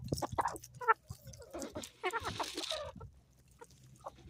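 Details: Homestead chickens on an Ozarks morning giving quick bursts of sharp, rapid clucks and short squawks across the first three seconds, then quieter scratching and low background sounds.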